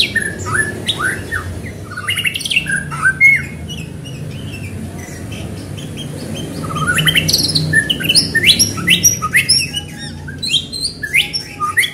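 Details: White-rumped shama, a fast, lively singer used to stir other shamas into singing: rich varied phrases of whistles, sweeping notes and sharp chirps in bursts, busiest toward the end, over a steady low hum.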